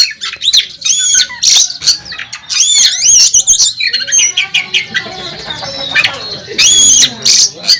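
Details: Oriental magpie-robin competing on the contest track, a national champion in full song: loud dense bursts of high scratchy warbling and whistles, with overlapping lower tones from other birds in the middle.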